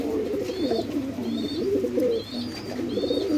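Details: Red tail mark fantail pigeons at a pigeon farm in Bangladesh, a dense chorus of low, throaty rolling coos from several birds, overlaid by thin, high whistled notes repeating about every second, in an enclosed space.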